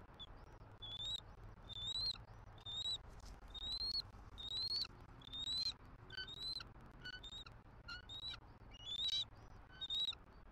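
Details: Series of repeated high, slightly rising whistles from a bald eagle pair at a wild Southwest Florida nest, the female calling for a nest shift change and the male answering; faint background hum throughout.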